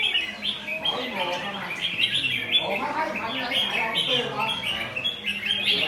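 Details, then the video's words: Recently trapped red-whiskered bulbul, still in wild plumage, caged and behaving aggressively; quick, jumbled chirping phrases run almost without pause, while a low murmur of voices sits underneath. "Bổi còn lông rừng, nết rê lật găm dí tì đè"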